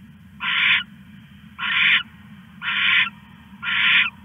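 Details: Nighttime owl storing a rat on 21 August 2015 sounds four rough, hissing screeches, each roughly 0.4 seconds long and about a second apart, against a faint continuous hum.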